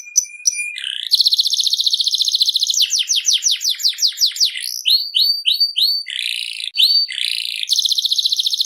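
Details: A canary in full song: short high chips, then a long dense rattling trill that breaks into fast sweeping notes, a run of clear upslurred whistles, harsh buzzes and a final rolling trill; no other sounds.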